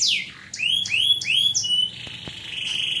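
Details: Canary singing: a series of clear whistled notes, each sliding down then up, repeated about every third of a second, ending in a sustained level whistle, with faint background hum and a couple of soft clicks.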